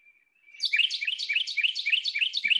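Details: A Carolina Wren sings its year-round "tea-kettle" song: a fast, rolling run of about eight ringing, looping phrases, roughly four per second, after a brief thin opening whistle.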